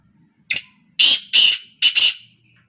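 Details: One of three black francolins calling continuously: a harsh, grating call of a short clipped note, then three loud rasping, buzzy notes, the last one doubled, in under two seconds.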